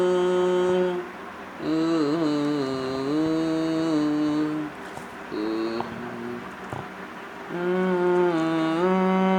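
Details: A person chants or hums a slow, sustained melody in several long phrases broken by short pauses, and no animal sound is heard.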